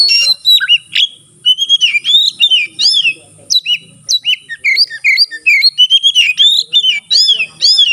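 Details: Caged white-rumped shama in full song with its tail fanned, a performance meant to prompt rival shamas to sing; fast, varied whistles, upslurred and downslurred notes and clipped chips delivered in quick bursts.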